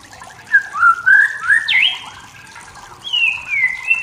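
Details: Wild forest white-rumped shama singing to provoke rivals: a string of rich, fluty whistled notes that climb and swoop, a short pause, then a long clear descending whistle.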